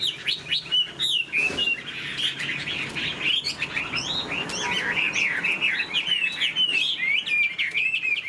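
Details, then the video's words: Continuous varied warbling from a caged Chinese hwamei that spreads its tail and plays its wings as it sings. Quick slurred whistles swoop up and down in tight succession, with a few sharp clicks mixed in. "Họa mi đuôi xòe chơi cánh, bóng bộ cực đẹp, hót vẩy đuôi khướu"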